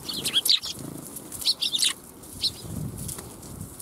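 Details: Sparrows fly in to be fed at a Tenmangu shrine on 1 January 2021, with fluttering wingbeats mixed among busy, high twittering chirps in two main bursts.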